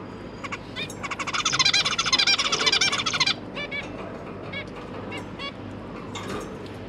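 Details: Zebra finch parents feeding newly hatched young; a fast, regular stuttering burst of high nasal calls between one and three seconds, then scattered softer calls, with a constant low hum.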